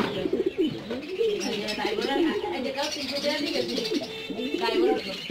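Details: Caged black Shiraji pigeons coo in rolling, throaty phrases, each bending up and down and repeated several times. Faint speech is in the background.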